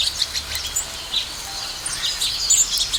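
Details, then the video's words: Several house sparrows feeding give a busy, overlapping chatter of short, high cheeps, several per second, with no other sounds standing out. "Sparrow Chirping Sound | Sparrow Birds Eating Food & Chirping"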